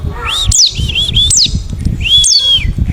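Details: Forest white-eye from the wild, calling to provoke other white-eyes into answering: high, steeply dropping chirps linked to gently arching thin whistled notes, with steady low background noise.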